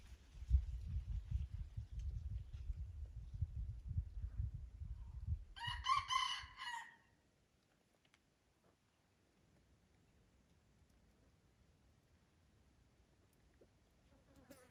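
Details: Red junglefowl crowing at Durung, Krueng Raya, Aceh: heavy low rumbling and handling noise for several seconds, then a single brief, harsh multi-syllable crow, followed by near silence.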